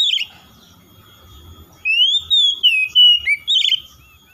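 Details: Oriental magpie-robin, called kacer, giving a harsh note, then after a pause a smooth upslurred whistle running into a series of varied short whistles and a scratchy ending. A faint low rumble sits underneath.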